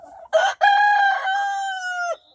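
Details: Rooster in a village poultry yard on an early spring morning, as hens are let out of the coop, gives one full crow: a short harsh opening note, then a long, loud, strained tone ending abruptly.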